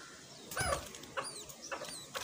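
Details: A mother myna brings food and feeds her small chick, giving several short, harsh, squeaky down-slurred calls about half a second apart over a steady background hiss.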